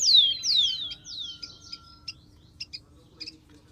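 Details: Song of a wild rufous-collared sparrow: loud high whistles open the recording, each sweeping steeply down, followed by a fading buzzy trill, then sparse sharp chip notes.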